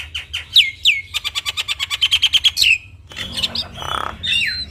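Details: Javan myna (jalak kebo) in lively training-song form: about fourteen quick, evenly spaced notes in a steady series after two downslurs, then harsher chatter and a raspy burst.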